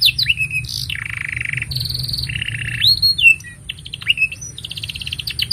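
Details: Long, lively canary song used as a master for training young canaries and prompting silent ones: rapid trills, buzzy rolled tours and sweeping whistled notes alternating in quick succession, with a steady faint hum underneath.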